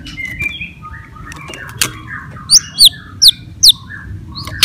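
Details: White-rumped shama in fighting song meant to provoke rival birds, giving soft varied warbles followed by four loud, sharp, descending whistled notes spaced about half a second apart.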